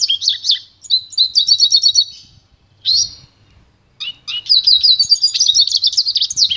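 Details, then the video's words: Pintagol, hybrid of goldfinch and canary, singing a bright rapid warbling song of high chattering trills and twittering phrases. Bursts are broken by short pauses, then a long, sustained run of fast repeated notes closes the phrase. "canto puro do pintagol"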